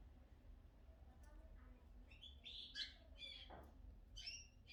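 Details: A household's pet cockatiel, playfully called their hairdresser, makes sparse chirps: a few soft notes, then a bright cluster of sharp whistled chirps near the middle and a thin high chirp toward the end, over quiet room noise.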